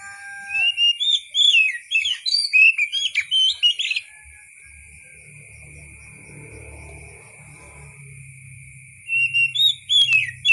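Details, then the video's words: Oriental magpie-robin delivering a fast, jumbled series of bright whistled and chattering notes, pausing for five seconds amid a faint low rumble, then resuming with more rising whistles; a steady high tone persists. "KICAU BURUNG KACER SUARA ASLI"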